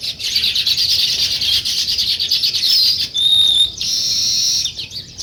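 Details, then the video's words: Sparrows chirping in the morning in a village as weaver birds build a nest: a dense, continuous high chatter of many birds, with a brief clear whistled tone near the middle. "Sparrow Morning Chirping Sounds"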